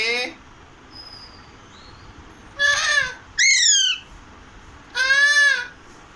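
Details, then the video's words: Alexandrine parakeet, known locally as Pahadi parrot, saying "Radhe": three hoarse, raspy, drawn-out syllables in the second half. A faint thin whistle and a short rasp come before them. "Pahadi parrot original voice"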